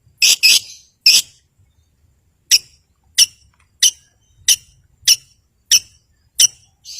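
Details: Long-tailed shrike, used to provoke rivals and silent birds, giving harsh squeaky notes, first a quick scratchy cluster, then single sharp notes repeated roughly every two-thirds of a second.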